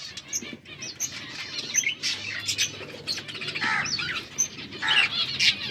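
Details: Chirping budgies recorded October 27, 2023, a mix of fast high warbles, twittering notes and occasional squawky calls, with fluttering wing sounds in the background.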